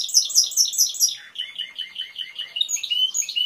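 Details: Timbrado canary singing a high sweet trill of paired notes, then dropping into a lower series of rolling, slightly falling syllables repeated about twice per second, closing with brighter whistled notes.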